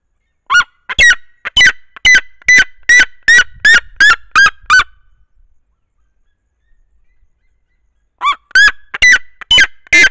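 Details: Female red-legged seriema sitting on her nest atop a tree with her single chick, singing toward the camera: loud, harsh yelping notes, about two or three a second, in a long run that pauses and then resumes.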